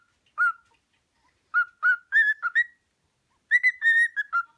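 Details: Cockatiel kept as a pet whistles "Another One Bites the Dust", giving single clear notes then a quick run of several whistles, and a final rapid phrase of linked rising and falling tones.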